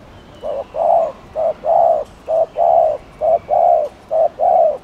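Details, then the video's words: Spotted dove, known locally as cu đất, cooing to provoke and fire up other doves: low hooting pairs, a short note then a longer rounded coo, repeated about once a second over a quiet background. "CHIM CU GÁY GÙ ( BO )/ CU GÁY GÙ KÍCH MỒI NÓNG MẶT"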